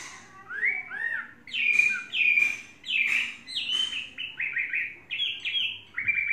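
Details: Tamed Chinese hwamei in its third season singing loud, varied whistled phrases, rising and falling slurs repeated in quick succession, clear and bright against a quiet background.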